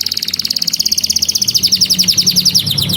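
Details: Canary in full song, a training lure for young birds: a long, rapid, rattling high trill of evenly repeated notes that slowly drifts lower in pitch, with a faint low hum behind.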